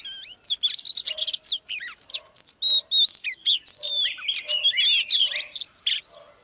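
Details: Oriental magpie-robin, a female used to rouse a male into full song in a live training session: rapid, varied whistled song with sharp up-and-down sweeps and dense chattering bursts, continuous for about six seconds.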